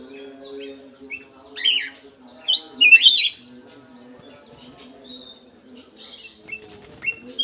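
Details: Aviary-kept golden-fronted leafbird singing clearly: scattered bright whistles and chattering bursts, with a loud twisting phrase near the middle and softer notes after, over a constant low droning background.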